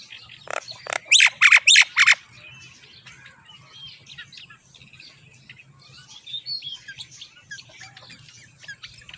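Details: Common myna chicks begging as their mother brings moringa to feed them: a burst of about five loud, harsh, raspy calls in quick succession, then softer scattered chirps with a low hum underneath.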